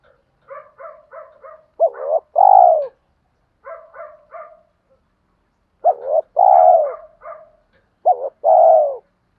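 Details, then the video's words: Spotted dove calling to lure and provoke wild doves. Runs of short, stacked, clipped notes lead into loud, low, two-part coos, repeated three times across the recording. "chim cu gáy thúc kích bổi rất xiêng gáy, tiếng gáy gọi dúp bổi nghe xong có hứng gáy theo liền"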